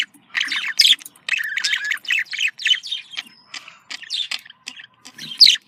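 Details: Budgerigar contact calling, described as happy: chattering warble of scratchy descending chirps with a buzzy drawn-out note, softer scattered notes later and a sharp rising squeak at the end.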